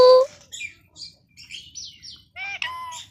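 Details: Pet Indian ringneck parakeet talking: a pure whistle opens, followed by a run of short chattering syllables and a final rising, harmonic mimicked word.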